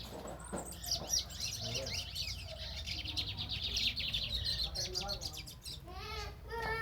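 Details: Lined seedeater, described as young green birds in lively form, singing a rapid run of high, varied chirps and twittering trills that continues steadily for several seconds; a person's voice speaks toward the end.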